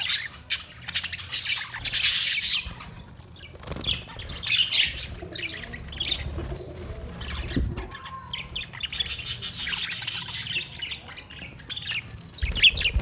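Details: Budgies in a parrot colony setup chirping in loud high bursts of squawky chatter alternating with quieter stretches, wing flutters and low thuds mixed in between the calling.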